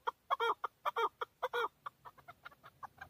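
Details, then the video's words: Chukar partridge, a male recorded in Tajikistan in 2020, uttering loud paired and triple clucking chuk notes that fade into softer, quicker single notes toward the end. "Садои кабки Шикори"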